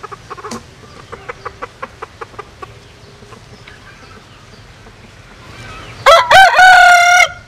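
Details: Bantam rooster, a cross of a Japanese bantam hen and a Cuban rooster, gives a vigorous crow near the end: a loud, harsh, ringing phrase of about a second and a half, preceded by a series of faint sharp clicks.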